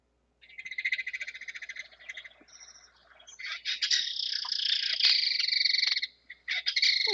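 A kingfisher's loud, dry rattle: harsh, rapid clicking notes in long chattering bursts, pausing briefly, then rattling again more loudly.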